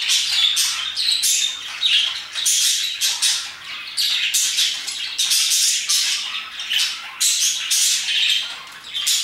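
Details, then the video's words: Around 2pm several parakeets chirp nonstop, rapid harsh squawky notes tumbling over one another in short loud bursts throughout. "Parakeets chirping and singing their hearts out"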